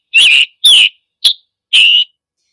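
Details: Scarlet Tanager in summer woods giving its chick-burr call: four harsh, burry notes, one clipped and short, spaced about half a second apart against a silent background.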